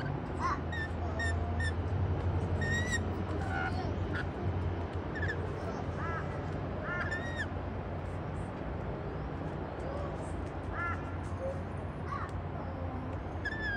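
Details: Several rainbow lorikeets feeding on white bread on a patio make frequent short, shrill, arched squawks at irregular intervals. A constant low hum and murmuring sit underneath.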